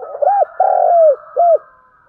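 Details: Spotted dove thúc gù luring call: three low coos, the middle one long and slowly falling, over a faint background hum.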